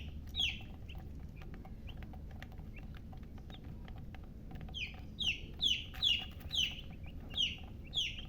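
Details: Chicks chirping, at first with scattered faint peeps, then a lively burst of loud, high, falling peeps in quick succession through the last few seconds.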